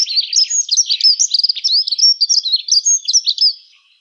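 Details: A single unbroken phrase of Dunnock song, about three and a half seconds of rapid, high, squeaky notes jumbled together in a sweet, even-pitched warble.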